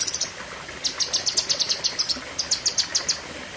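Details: Lesser green leafbird (cucak kinoi) giving sharp 'tembakan' in the 'pedes panjang' style: short runs of high, clipped, whistled chips repeated several times a second, with brief gaps between runs.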